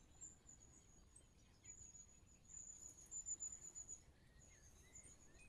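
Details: Long-tailed tits giving high-pitched 'tsee-tsee-tsee' contact calls to keep a flock together: thin, very high rapid notes strung in loose runs, quieter and partly masked by steady background noise, with a few faint lower chirps.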